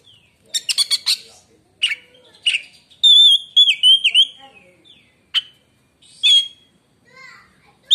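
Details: Oriental magpie-robin singing a song claimed to silence rival magpie-robins: scattered sharp chips and clicks, then a run of wavering whistled notes, separated by isolated single calls.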